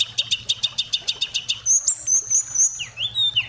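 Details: White-rumped shama (kacer) in song: a run of about ten sharp, evenly repeated notes, then thin high whistles and swooping slurred whistled notes.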